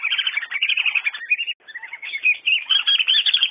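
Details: A short burst of whistling duck calling: shrill, quick whistled notes, a brief quiet gap midway, then chattering whistles resume and rise.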